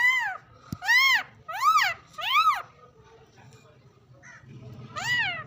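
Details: Pet parrot, said to whistle and talk, giving five loud arched calls with stacked harmonics, each under half a second, mostly in a quick run of four then one after a pause; low background hum.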